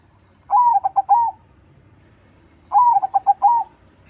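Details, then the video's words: Vigorous crossbred zebra dove song as a lure for other doves: two matching mellow phrases about two seconds apart, each a long coo, three rapid short notes and a drawn-out finish. "SUARA PERKUTUT CROSSING GACOR TERBAIK UNTUK PANCINGAN"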